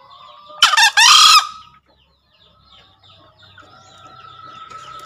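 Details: Green junglefowl, recorded as a master sound to prompt newly caught birds: one abrupt two-note crow, harsh and brief, then a quiet stretch with scattered small-bird chirps.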